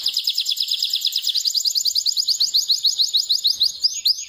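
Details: Canary from Pakistan singing continuous rapid trilled phrases, high-pitched repeated notes, a fast rolling series giving way to brighter rising slurred notes about three per second, clear and loud with no other sounds.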